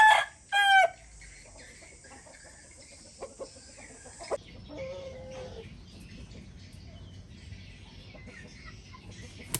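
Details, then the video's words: A rooster gives two loud, harsh, cut-off crowing notes in the first second, followed by a quiet farmyard background with faint clucks and knocks. "RooSter SouNd"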